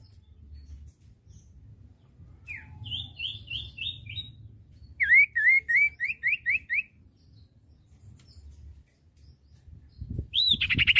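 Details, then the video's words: Common iora (cipoh), a training recording for young birds; two runs of quick downslurred whistled notes, the first higher and even, the second lower and louder, then a sharp call at the end over a low hum. "masteran burung cipoh bahan II masteran cipoh sirtu bahan"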